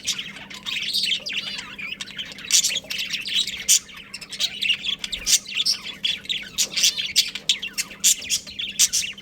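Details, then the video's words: Budgerigar breeding pair, caged pets, giving dense, continuous high chattering chirps and warbles with quick twittering notes running almost without pause, over a faint steady low hum. "Adorable Budgies Chirping Sounds"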